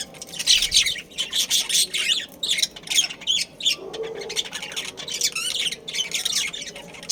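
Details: Several caged budgerigars from a Karachi breeding colony chatter in quick pulsing bursts of raspy chirps and squawks, roughly one burst every half second.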